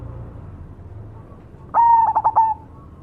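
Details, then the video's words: Cemani zebra dove heard after a quiet stretch of low hum. A single song phrase: a smooth sustained coo that dissolves into four quick pulsed notes. "suara burung berkutut cemani gacor mangung"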